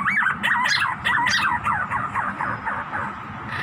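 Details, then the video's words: Pink-necked green pigeon giving a rapid run of wavering, gurgling whistled notes, about four a second, over steady background hiss. "pink-necked green pigeon"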